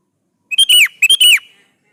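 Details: Lively Sooty-headed bulbul song meant to draw answers from other bulbuls: two matching phrases half a second apart, each a short chirp then a ringing whistle that bends down at the end.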